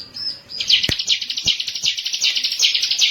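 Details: Bar-winged prinia (ciblek) song used as a master lure recording: fast, buzzy, high chattering notes repeated about two to three per second in a steady stream, with a couple of sharp clicks near the start.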